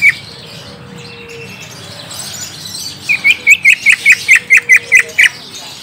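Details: Greater green leafbird (cucak ijo) lure song, used to prompt a young untrained bird to reply: a single note, a quiet pause, then a regular run of about eleven short bright whistles.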